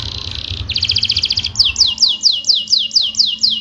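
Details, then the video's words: Rolling canary song for coaxing silent canaries to answer: it opens with a dense buzzy trill, shifts to a faster pulsed trill, then a steady series of sharp falling whistles, roughly four per second. "burung kenari Gacorr ngeroll cuit-cuit!!!!Cocok untuk pancingan kenari malas bunyi,,langsung nyaut!!"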